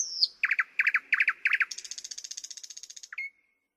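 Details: Thrush nightingale: a high slurred note, five loud paired clicking 'chock' notes, then a long buzzy rattle, ending on a short whistle.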